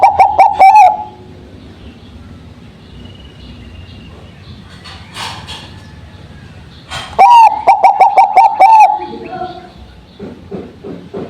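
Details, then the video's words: Bangkok-type zebra dove singing as a lure after dew exposure: a brief pulsed cooing burst, a pause with clicks and thumps, then a second run of about eight quick harmonic coos, followed by lower knocking sounds. "Perkutut Bangkok || Cocok buat pancingan Setelah di embun!!"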